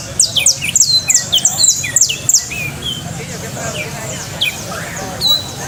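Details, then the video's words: Coastal canary singing quick bright chips and downward whistled slurs in a fast run, then sparser notes against a low constant hum. "canto de canario costeño"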